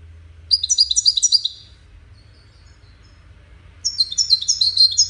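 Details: European goldfinch, wild-caught competitor among five, sings two short bursts of rapid, high, tinkling chirps about a second long, separated by a quiet pause of over two seconds.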